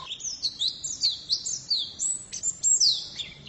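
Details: Female white-eye giving a soft, high twittering warble of slurred whistles rising and falling, somewhat quieter against light background hiss.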